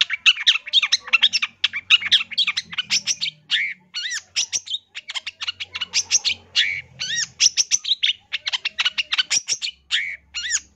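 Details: Long-tailed shrike song in a loud recording made for tutoring other shrikes, a dense rapid stream of sharp chattering notes and whistled slurred upsweeps, delivered almost without pause.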